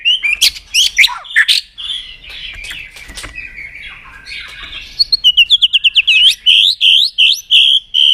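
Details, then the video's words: Varied white-rumped shama song. Sharp chirps and slurred notes give way to a quiet patch, then a rapid string of bright, evenly spaced upward-sweeping whistles and looping phrases. "Keganasan murai batu diam jadi rajin bunyi kembali"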